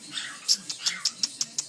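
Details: Pet Quaker parrot talking to its owner indoors, producing quick, raspy, speech-like syllables broken by sharp clicking notes repeated about every fifth of a second, with the owner's soft voice around it.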